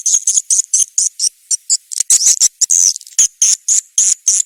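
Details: Swiftlet calls from an SP. KADITA lure recording used to draw swiftlets into nest houses: high, thin, buzzy twittering notes in quick uneven bursts, some running together into longer chattering trills.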